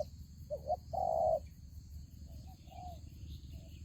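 Soft, low coos from a spotted dove: two short notes, then a longer drawn-out coo, followed by fainter answering coos over a steady low hum.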